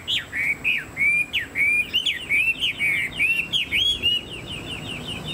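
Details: Chinese hwamei with a fanned tail and tall build, kept as a songbird, repeating a clear whistled note that slurs upward, about three times per second, steady and loud throughout.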